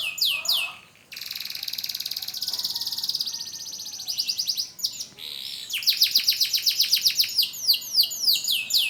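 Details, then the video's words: Young AF canary learning to sing after its moult: a brief burst of rapid high notes, then a long buzzy trill, more chattering phrases, and a fast run of repeated downslurred high whistles. "BURUNG KENARI AF BELAJAR BUNYI PASCA MABUNG"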